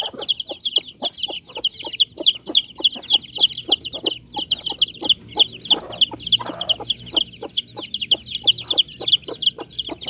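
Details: Bangkok chicken chicks giving a steady, rapid stream of high, thin peeps, several birds overlapping almost continuously, with soft clicks and rustles below.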